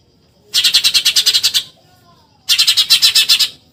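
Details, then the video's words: Eurasian tree sparrow chattering, 'tembakan nyerecet' masteran for contest birds: two bursts of about a dozen quick, grating chirps each, with a second of near-silence between them. "MASTERAN TEMBAKAN NYERECET BURUNG GEREJA"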